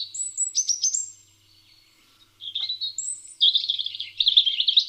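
European robin singing high, thin, liquid phrases that change each time, broken by a short pause, then a faster twittering run.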